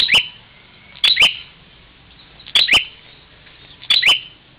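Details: Bar-winged prinia fighting a mirror in Parigi, Ciamis, West Java: a single chirp, then three sharp double chirps spaced over one second apart, each ending in a quick rising note.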